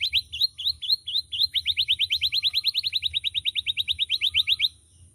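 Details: Canary, a seed-eating songbird known for loud, varied, melodious singing, delivers a rapid rolling trill of bright, high, evenly repeated notes for nearly five seconds, then falls silent.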